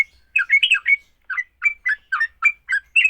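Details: Sooty-headed bulbul in fighting song, aimed at making other bulbuls call: a tumbling burst of gurgled notes, a short pause, then evenly spaced bright chirps with whistled endings.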